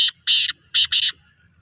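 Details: Black francolin calling: four loud, harsh, grating notes, broad and buzzy, in two pairs with short pauses between. The opening of the phrase seems cut off. The background is otherwise quiet.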